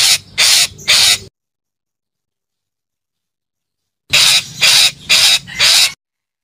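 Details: Parakeet calling in short runs: three raspy screeches, a gap of nearly three seconds, then four more screeches in quick, even succession.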